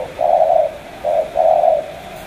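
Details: Brief 'tú' style coo from a Cà Mau spotted dove: a long soft coo, a short hoot and another drawn-out coo, low and hollow, over a faint steady background.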